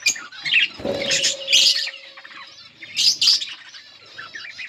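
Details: Yellow pair of budgerigars with short bursts of high chirping and squeaky chatter, plus a steady faint hum in the background.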